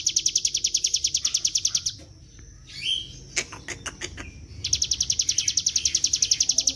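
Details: Bar-winged prinia in nonstop 'gacor ngebren' singing, used as a lure to draw others into song: fast, even high chips about four per second, pausing mid-clip for scattered clicks and a brief rustle before resuming.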